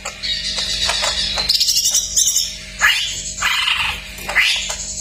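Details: Cak ijo masteran song full of isian fills: a continuous scratchy, chattering high warble broken by sharp clicks and several quick rising whistled sweeps, with a steady low hum throughout.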